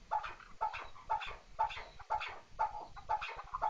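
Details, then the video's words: A chukar partridge repeats a two-part clucking chuk-chuk phrase very regularly, about twice a second, eight times in a row. "kınalı keklik sesi dinle."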